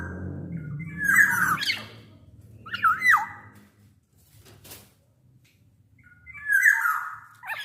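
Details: Black-naped oriole singing loudly, used as a lure for other orioles. Three separate whistled phrases slide down with harsh edges, separated by quiet gaps, with a low hum early on.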